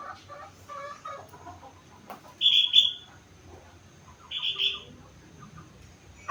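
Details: Sooty-headed bulbul, four months old, singing a song filled with imitations of rengganis and cucak wilis: soft scattered chirps, then two bright, high, harsh bursts of about half a second each, separated by a short pause.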